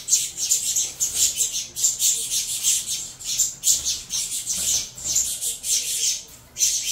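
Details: Fed saffron finch chicks, bred in captivity from a Venezuelan-line cross, keep up a clamour of sibilant, scratchy squawks in quick runs, dropping briefly near the end before resuming.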